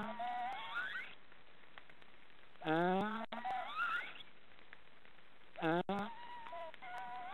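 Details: Three young black storks snoring in their nest in an Estonian forest: hoarse, harmonic calls that rise in pitch, then stretch into a higher wavering whine, about every three seconds. Each burst is separated by quiet background hiss.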